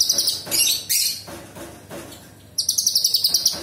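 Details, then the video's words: A Sooty-headed bulbul (cucak cungkok) sings bright, high chattering phrases, then a fast run of about a dozen sharp notes; varied sharp song said to include imitations of small birds, large birds and insects. "Cucak cungkok gacor istimewa Tembakan istimewa Cucak Cungkok kerasukan Cililin tembakan kasar tajam"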